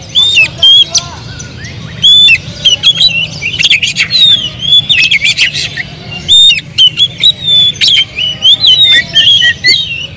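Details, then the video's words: Oriental magpie-robin (kacer) in agitated, emotional song used to provoke other birds: loud clipped whistles, harsh scratchy notes and chattering bursts repeated in rapid series, with constant low-frequency background noise. "KACER BONGKAR EMOSI BONGKAR MATERI DENGAN PANCINGAN KACER INI Kacer Gacor Full Emosi"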